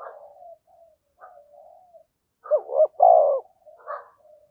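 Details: Decoy spotted dove calling wild doves in. Low soft murmurs, then a loud phrase of two short rising coos and a long falling throaty coo, ending with a brief note.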